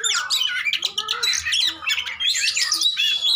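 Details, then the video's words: Oriental magpie-robin fighting song used to stimulate a silent bird: a crowded burst of harsh squawks, chirps and quick twittering notes, with brief lower slurred whistles mixed in. "PANCINGAN KACER TARUNG ATASI KACER MACET"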